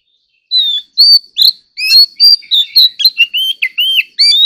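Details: Oriental magpie-robin singing competitively: after a brief silence, a lively run of whistled notes, swooping slurs and quick chirps that grow denser toward the end.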